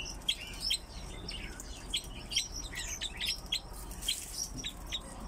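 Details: Kept crossbills calling: short, sharp, high chirps given in loose irregular series, several notes close together, over a steady low background hum.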